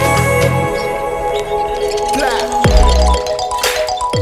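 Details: Electronic music with steady tonal lines, a low bass pulse, chiming notes and a sweeping bend near the end; no animal sound is heard.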